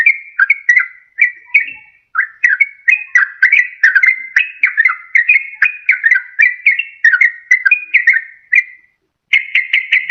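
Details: Yellow-vented bulbul lure song for trapping in the wild or prompting a lazy caged bird: bubbly whistled phrases of rising and falling notes, repeated with short gaps, ending in a quick burst after a pause.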